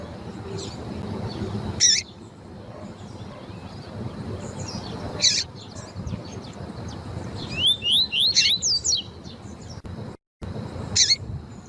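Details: Double-collared seedeater in tui-tui fibra style, paired with a female's call to stir up males: scattered sharp chips, then a quick burst of about seven upslurred whistles, more chips after, over constant soft hiss.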